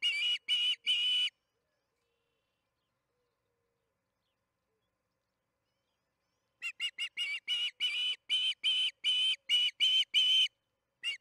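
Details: Osprey on its Charlo nest, evening feeding on June 21, 2019 at 8:15 pm MDT, nest camera audio. Three whistled notes, a long silence of five seconds, then a rapid string of about twelve shrill chirps.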